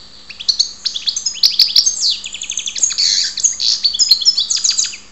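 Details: European goldfinch from Ptolemaida, Greece, singing a fast, continuous twittering song of high tinkling notes, buzzy trills and quick chirps that run without a break for five seconds.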